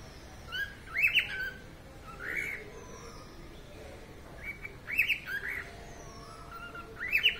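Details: A pet cockatiel sings bright, whistled phrases of rising and falling notes in short bursts every couple of seconds.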